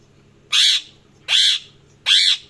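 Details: Parrots calling: three loud, harsh, broadband squawks, each about a quarter-second long, spaced roughly every three-quarters of a second over a quiet background.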